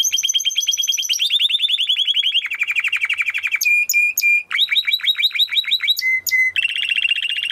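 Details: Timbrado canary training song, a dense run of rolling trills and repeated chirps moving through several tours of differing pitch, with flat whistled notes mixed in.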